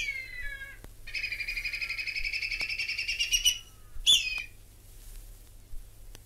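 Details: Whistling kite from Australia, called whistling eagle: a long descending whistle, then a rapid stuttering run of high notes lasting over two seconds, then a sharp downward whistle, with quiet background.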